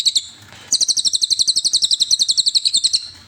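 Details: Cililin song for training songbirds: a couple of high chirps, a brief gap, then a steady, fast string of sharp, high twittering notes at about four per second.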